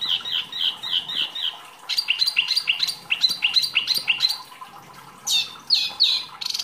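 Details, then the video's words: Mini wambi kept as a caged songbird, singing a rich masteran training song. High chirps repeat rapidly, then varied twittering phrases and sharp rising and falling whistles follow. "wambi mini gacor materi mewah"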